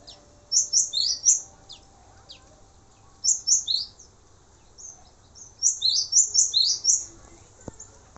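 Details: Male cinereous tit singing for songbird training: three bouts of quick, high, clipped note pairs with faint softer notes between bouts.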